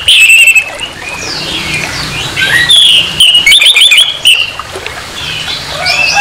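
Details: Orange-headed thrush singing harshly to raise aggression in another thrush: a busy stream of varied whistles, scratchy slurs and a fast stuttered series of short notes, with a low hum in the background.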